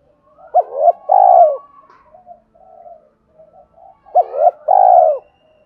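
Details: Spotted dove in 'thúc' coo style used to provoke wild doves: two phrases, each a quick rising double hoot and a long falling burry coo, with soft murmured notes between them.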